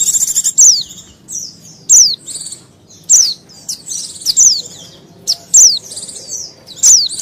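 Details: Agitated white-eye calling as bait for wild white-eyes: high thin down-sweeping notes each paired with a short buzzy rasp, roughly one phrase per second, against a soft low hum.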